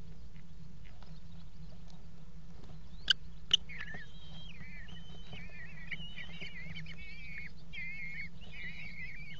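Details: Eurasian kestrels mating on a nest box rim at the Axel water tower, February 2018: two sharp knocks, then a long run of wavering, whining calls, with a steady low hum throughout.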